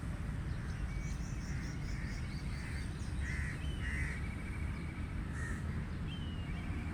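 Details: Crow cawing, rough short caws in an uneven series, mixed with sharp high chirps and thin whistled notes from other birds over steady low noise.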